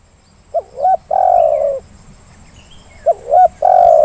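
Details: Zebra dove calling, used as a lure to prompt lazy birds to sing; two repeated phrases, each a brief note, a rising double coo and a long sliding coo, with quiet pauses between.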